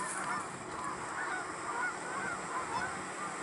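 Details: Canada geese in a flock give a steady stream of overlapping honks against a constant hiss of background noise.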